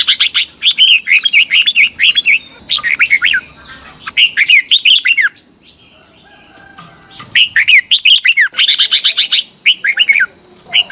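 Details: Red-whiskered bulbul in competitive morning singing, a lure recording for training birds: dense runs of quick, liquid, warbling notes, a short pause near the middle, then another busy burst, with a constant thin high tone behind.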